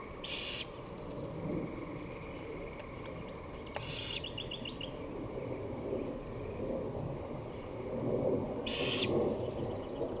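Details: Three raspy hissing screeches of a great horned owl, recorded 23 May 2018 at 5:53 pm, separated by several seconds, with brief bird twitters, a click, and rumbling low background noise throughout.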